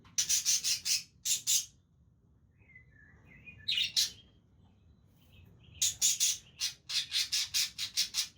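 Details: Budgerigars playing with each other chatter in bursts of rapid, scratchy, high chirps, about six a second, broken by a pause with a few thin whistled notes.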